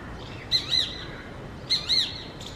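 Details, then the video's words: Shikra calling in the morning, giving two harsh, high paired notes, 'kee-kee', then repeating the pair about a second later over faint outdoor background noise. "Hawk (Kite, Shikra) Making Peculiar Sounds In Morning"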